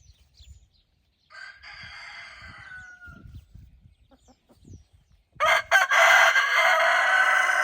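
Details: Roosters among hens in the evening golden light, guarding the hens while scratching: a fainter distant crow of about a second and a half, some quiet scuffling, then a loud, rich, sustained crow starting near the end and continuing on.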